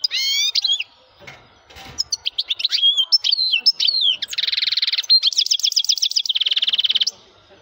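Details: Male European goldfinch in powerful song: varied high whistled and twittering phrases flow into dense buzzy trills and rapid repeated notes, almost continuous for about seven seconds.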